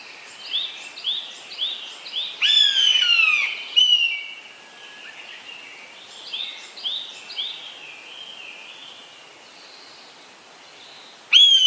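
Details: Eastern buzzard giving loud, falling, mewing cries, two close together and a third at the end. Another bird repeats short, bright chirping notes many times throughout, both before and after the buzzard calls.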